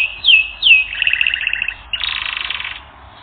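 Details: Canary on a training recording delivers two down-slurred whistles, then a double-toned rolling trill and a dense, rattling buzzy phrase that fades out.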